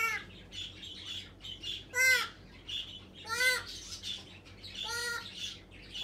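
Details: Pet African grey parrot calling "papa papa", giving short harmonic, voice-like calls repeated about every one and a half seconds, each rising then falling, over a soft room hiss.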